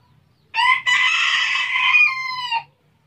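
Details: A village rooster, recorded by chance in Tabulahan, Mamasa regency, gives one loud, harsh crow of about two seconds: a short opening note, then a long held, slightly wavering cry that drops at the end.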